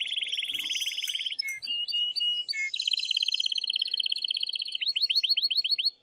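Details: Excited male canary in powerful song to excite a female: a rolling trill, brief whistled notes, a long rapid trill, then a series of crisp up-slurred notes.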